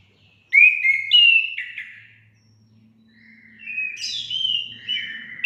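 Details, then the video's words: Orange-headed thrush song for encouraging kept birds to sing: two bursts of clear slurred whistles, the first falling in steps, the second rising to a sharper high accent, with a faint low hum beneath. "Langsung nyaut gacor anis kembang anda"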